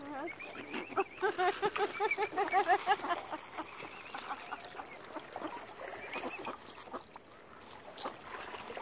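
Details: Angry, hungry mother swan at Lough Neagh, Northern Ireland, where algae has killed her normal food supplies; a burst of nasal, wavering, harmonic calls repeated rapidly for about three seconds, then a quieter mix of murmuring and splashes.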